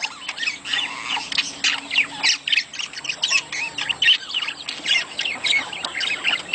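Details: Budgerigar mating chorus for stimulating breeding: nonstop busy twittering and scratchy squawks, several notes per second, with a faint steady hum underneath.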